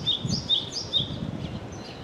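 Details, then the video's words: Wild Java sparrow chirping: three clear high, flicked notes in quick succession, then softer fading chirps, against a low background rumble. "Kicau Glatik Jepang Liar"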